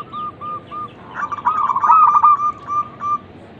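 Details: Local zebra dove, used as a lure to make other doves coo, giving a rapid staccato cooing phrase of short notes around mid pitch, a dense burst of rolling notes in the middle, then a trailing series of evenly spaced coos.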